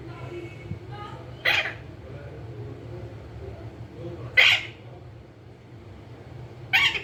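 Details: Green ringneck parrot kept as a talking pet, producing three rough, broad squawks about three seconds apart, with soft chatter early on and a steady low background hum.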